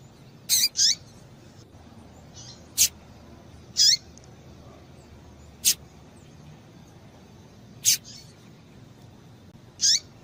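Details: Calls of a female Double-collared seedeater used to stir up the male: nine or so thin high chirps across ten seconds, mixing sharp clicks with downslurred notes and an early quick pair, over a quiet low hiss.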